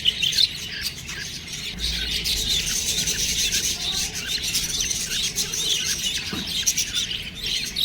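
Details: Baby budgerigars chatter without pause, shrill squeaks and raspy twitters overlapping densely, with a short low rumble partway through.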